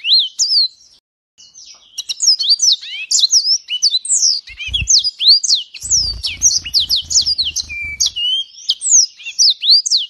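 A yellow-fronted canary sings a fast, unbroken jumble of high twitters, slurred whistles and sweet trills, with a few low thumps in the background.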